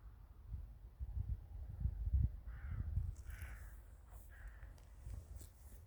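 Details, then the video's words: Crows calling in a village in winter: about three harsh, hoarse caws in the middle of the clip, partly masked by a steady low rumble and soft scattered ticks. "the sound of crows"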